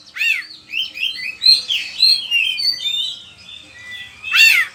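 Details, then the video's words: Oriental magpie-robin singing actively, recorded as a lure and training song for other caged birds: varied clear whistled notes and slurred phrases, rising and falling, with a loud rasping note at the start and another near the end. "Pancingan suara kacer gacor"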